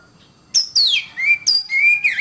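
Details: Oriental magpie-robin tutor song for training competition birds: piercing high downslurred whistles alternating with lower, steady drawn-out whistles, loud and clear.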